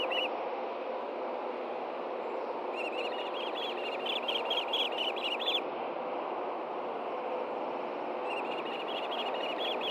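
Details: Nest-camera recording from Hellgate Canyon, Montana, 9 AM, June 6, 2014: osprey fish delivery from male to reluctant female. Two bursts of fast, piercing whistled chirps, the second near the end, over constant broadband rush.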